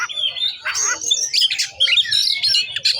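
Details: Oriental magpie-robin singing in the 'bongkar isian' style, pouring out its repertoire of learned phrases: rapid, varied whistles, chirps and buzzy notes, mostly high-pitched, in bursts with brief pauses.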